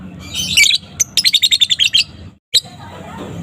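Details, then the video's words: Young fighter lovebird, used as a lure, singing an afternoon ngekek. A squeaky chirp leads into a brief run of about ten quick, shrill notes, followed by a single sharp chip. "Suara lovebird balibu fighter gacor ngekek disore hari full emosi"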